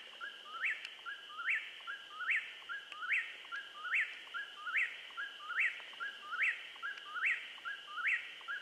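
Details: In southeastern Missouri just before nightfall, an eastern whip-poor-will repeats its whistled three-note phrase, rising sharply at the end, about 72 times a minute in a very regular rhythm, with a continuous high insect buzz behind.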